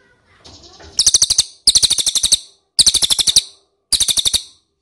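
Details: Ashy tailorbird lure call: four short bursts of rapid, sharp, high chirps separated by brief gaps, with faint low rustling before the first burst.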